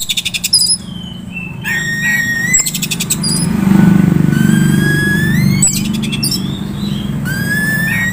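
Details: Oriental magpie-robin kept as a young contest prospect gives clear rising whistles and bursts of rapid buzzy rattles over a steady low humming background noise.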